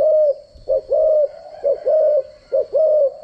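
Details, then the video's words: Spotted dove decoy kept for voice training, giving three quick coo pairs, each a short sharp note followed by a fuller level coo, spaced under a second apart. A faint steady high hum continues underneath. "chim cu gáy mồi giọng gáy chuẩn dùng luyện giọng chim cu gáy mỗi ngày"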